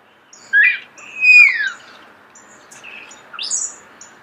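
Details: Starling giving scattered song notes at close range: a quick rising whistle, a longer downward-sliding whistle, then softer squeaks and a high buzzy note over a faint steady hiss.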